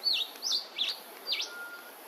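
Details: Red-browed finches at Hervey Bay, Queensland; four thin high descending-then-rising notes spaced about every third of a second, with a faint steady tone behind.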